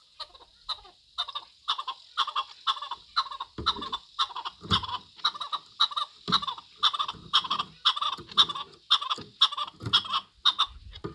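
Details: Chukar partridge giving a steady series of hoarse clucking chuk notes, about two per second, repeated throughout with little pause; a few low thumps of handling noise in the middle.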